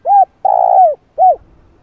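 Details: Close, loud spotted dove coo phrase used in decoy training: a rounded arched coo, a longer vibrating coo that slides down at its end, then a final arched coo, in a clean, quiet recording.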